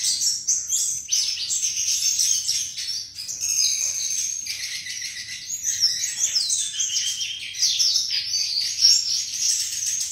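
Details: Sikatan flycatcher in melodious song, a long unbroken run of high, rapid chirps, warbles and downslurred whistles with varied phrasing and steady volume.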